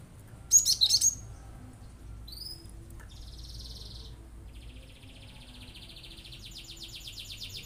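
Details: Cinereous tit in full song, its 'shots' said to provoke other birds into singing: a loud quick burst of sharp, high chirps lasting half a second, then faint buzzy trills in the background.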